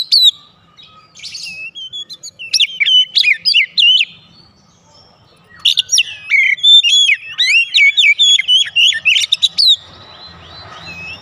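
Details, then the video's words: Oriental magpie-robin (kacer) song used as a lure to draw singing responses: loud, varied whistled phrases in bursts, sharp rising and falling notes, with a quiet pause midway and soft rustling noise at the end. "PANCINGAN KACER MANAPUN AUTO RESPON NGEPLONG"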